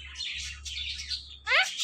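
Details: Talking pet parrot at play with its best friend, giving a steady hissy high chatter and then a sharp stacked squawk near the end, over a faint low hum.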